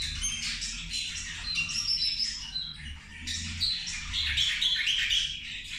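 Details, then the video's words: Zebra finches eating lunch together: nonstop high, nasal chattering with trumpet-like beeps and rapid buzzy squeaks from several birds, growing louder in the second half over a soft low hum. "Australijske zebe ručak"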